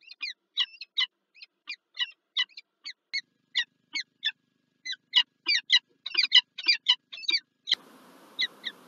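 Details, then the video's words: Wild peregrine falcon calling at its Lublin, Poland nest during egg laying, March 2024, when the male brings a gift; a steady series of sharp, stacked chip notes, about one a second, quickening near the end before a thud. "Sokół wędrowny PGE Lublin(PL) - Brawo! Wrotka złożyła 1 jajko 🥚 Czart z prezentem 2024 03 09"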